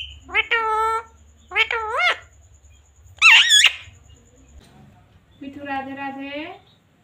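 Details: A talking pet parrot repeats Hindi words such as "mummy" and "papa" in four nasal, voice-like phrases with dipping and rising tones, over a low indoor hum.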